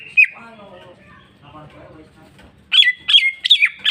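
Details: Cucak ijo, greater green leafbird, with one sharp chirp, a quiet stretch of soft warbling, then a burst of loud ringing chirps over a level whistle.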